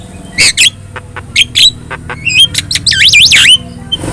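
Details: Javan myna with yellow eyes singing as a master track for other birds: scattered sharp squawks building to looping, wavering whistles, over a steady low hum.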